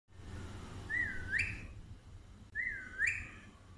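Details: A pet Alexandrine parakeet, whistling while chatting with its owner, gives two clear whistles, each dipping then sweeping sharply upward, about a second and a half apart, over a low indoor hum; Alexandrine parakeet.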